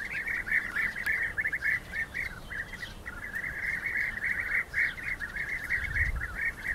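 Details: Fighting rival European bee-eaters utter rapid bursts of throaty, rippling calls in clustered runs, briefly thinning near the middle, with a low thump at the end.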